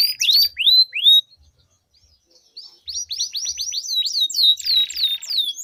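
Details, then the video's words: Duelling canaries with a long rolled song meant to prompt stalled canaries to sing: bright upward-curving notes, a near-silent pause of about a second and a half, then rapid repeated swoops ending in a harsh buzzy roll. "Duel Burung Kenari Suara Merdu Ngerol Panjang || Pancingan Ampuh Kenari Macet Gacor Ngerol Panjang"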